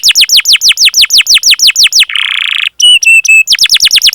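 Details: Canary song used as a lure for other canaries: evenly repeated downslurred whistled notes, then a harsh buzzy burst and a few level whistles before the rhythmic notes return.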